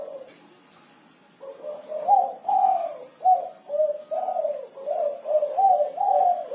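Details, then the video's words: Six-note 'kuku 6' cooing from a spotted dove that sings vigorously: after a second of near silence, a rhythmic run of hollow, low coos follows, about two per second. "Suara Burung Derkuku Kuku 6 || Tekukur Kuku 6 Gacor"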